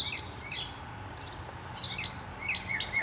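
A cardinal gives short, high, slurred chirps in quick bursts, some notes sliding downward, over a faint steady hiss of outdoor background.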